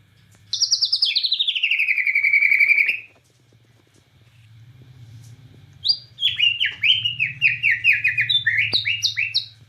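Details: Bornean white-rumped shama in nembak cililin song: a loud, fast, descending rattle of buzzy notes lasting over two seconds, a pause, then a quick volley of sharp, staccato high notes.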